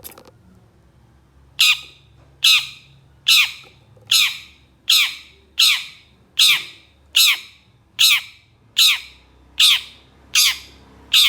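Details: Long-tailed shrike (cendet) giving rough harsh notes in a training recording, agitated by another shrike: a quiet start, then grating rasping squawks, each dropping in pitch, about every 0.8 seconds, twelve in all.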